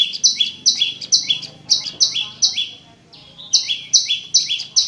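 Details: Prinia, locally called prenjak lumut, singing a clear, long song used as a lure to prompt silent caged prinias to sing: paired high notes, a bright upper note dropping to a lower one, repeated about twice a second with a short pause midway.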